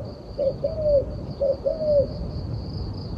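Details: Turtle dove giving two cooing phrases, each a short low note followed by a longer drawn-out coo, then quiet background with a steady high drone.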